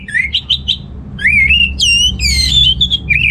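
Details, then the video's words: Orange-headed thrush in loud, lively song meant to stimulate males lacking breeding drive: short rising chirps, then rich sliding whistles and tumbling warbled phrases, high and clear, with a soft low hum. "ANIS MERAH Gacor"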